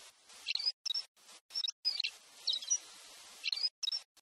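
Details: Pileated Parrot in Brazil uttering clipped, high, squeaky chirps, around eight notes in four seconds, some doubled, over a low hiss with brief silent breaks.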